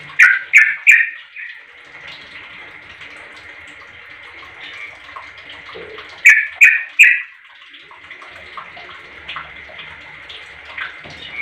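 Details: Sooty-headed bulbul calling to get other bulbuls answering: two bursts of three quick, loud chirps several seconds apart, with weaker scattered chirps between and a continuous faint high hum.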